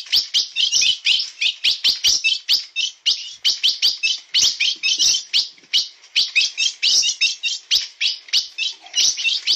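An ultramarine grosbeak sings a fast, unbroken run of bright chirps and warbled notes, several each second, high-pitched and sustained throughout.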